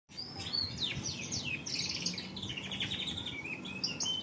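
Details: Canary song: a continuous run of high whistled notes, rapid trills and sliding chirps, with varied phrases following closely one after another. A low hum runs in the background throughout.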